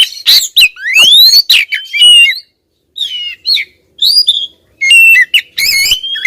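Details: Persistent calls from a female oriental magpie-robin toward a male: a clear upslurred whistle among scratchy chatter, then choppy bursts of buzzy chirps and squawks.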